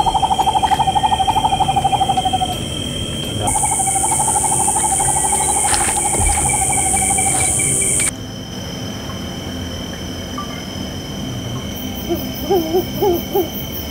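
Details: Tropical screech owl found at night in the Ratones area in the north of the island, Santa Catarina, Brazil, vocalizing: a fast, purring trill of short hooting notes, with a steady insect-like hum behind.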